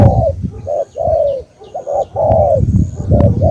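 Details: Spotted dove (cu gáy), Cà Mau, Vietnam, delivering stuttered double notes and long falling coos at close range, with heavy low-pitched rumble and a few sharp clicks.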